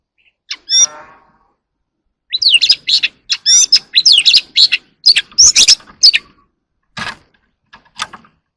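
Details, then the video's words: Oriental magpie-robin in early morning song, delivering short bursts of sharp whistled notes, quick upward and downward sweeps and scratchy chatter, separated by brief pauses, with a lone buzzy trill near the start. "Chòe than hót đấu"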